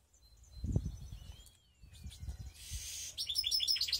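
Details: Mixed canary in Skopje, a hybrid called baster: after low rumbling, a long thin whistle slides downward, then rapid bright buzzy trills and chirps burst out in the last second and a half.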